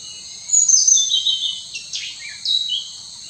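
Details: Hainan blue flycatcher, a newly split species breeding in lowland rainforest, sings in Roing, Arunachal Pradesh, India: high, sweet, slurred warbling phrases tumbling downward, separated by short pauses, over a steady high insect hiss.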